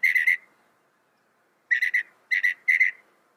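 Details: Northern mockingbird, a mimicking songbird, giving clear whistled phrases of three quick notes, one phrase then a gap and three more similar triplets in close succession.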